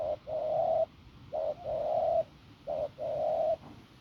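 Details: Wild-caught field spotted dove with a hoarse, firm coo: low, husky notes in a short-then-long pattern, a brief hoot followed by a drawn-out rough coo, repeated about every 1.3 seconds in a quiet setting.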